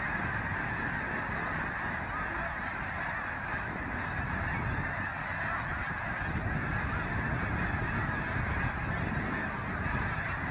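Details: A huge flock of migrating snow geese in Canada keeps up a steady roar of overlapping high, nasal honks and yelps, with no break in the din.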